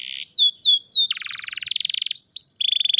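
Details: Canary song on a cellphone recording: a short whistle, then downward-sliding notes, a dense buzzy trill around the middle, and a steady high whistled phrase to finish.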